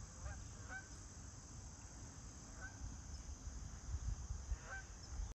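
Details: Geese from an Ohio farm passing overhead on 29 September 2024, giving a few distant, faint honks in loose pairs, set against constant low background rumble.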